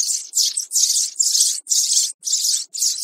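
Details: Young sparrow calls used as a lure for trapping birds: dense, harsh, high chirping bursts repeated about every half second, each lasting roughly a third of a second, with short gaps and no other sounds.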